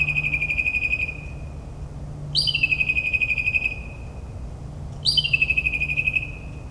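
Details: Nocturnal northern mockingbird song in the New Jersey suburbs, a mimic of many birds: three long rapid trills, the second and third opening with a high downward sweep, each lasting about a second, with steady low background hum.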